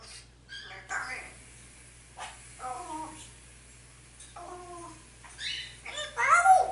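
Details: African grey parrot indoors talking in Spanish, calling its owner and asking for turkey and chicken; short speech-like phrases with harmonic, voice-like syllables separated by pauses, ending in a louder, sharper burst.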